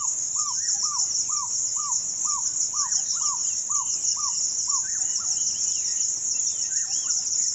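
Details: African barred owlet, a restricted-range bird in Kenya, singing a run of about eleven even, hooked whistled notes, three every two seconds, then stopping, while insects drone steadily high in the background.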